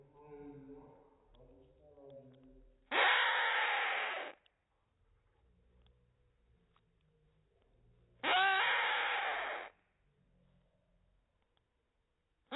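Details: A hand-raised Rainbow lorikeet chick, pulled from the nest after its mother neglected it, gives two loud, harsh, rasping begging bursts, each over a second and several seconds apart, while a five-year-old foster female feeds it; a voice speaks first.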